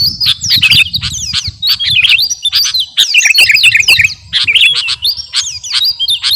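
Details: Captive sooty-headed bulbul of the kutilang garuda type in training song: clear descending whistled slurs and quick chirps in short rhythmic phrases with small gaps, over a low background hum.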